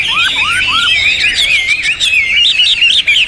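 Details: Champion Hwamei with a loud, richly varied song opens with three lower upslurred whistles, then runs into rapid, wavering high whistled trills.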